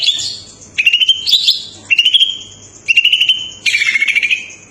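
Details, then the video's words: Lively song of a Greater green leafbird: four phrases about a second apart, each a clear whistled note held steady and laced with quick chirpy flourishes, the last phrase ending in a downward-sliding twitter. "burung cucak ijo gacor sampe ngentrok ngentrok"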